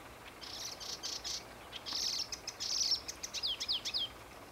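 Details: Marsh warbler at Homolka ponds, Velké Poříčí, 8 May 2015: rapid buzzy trills and high rattling bursts give way to a series of sharp descending slurred notes, a busy, varied warbling delivery over soft hiss.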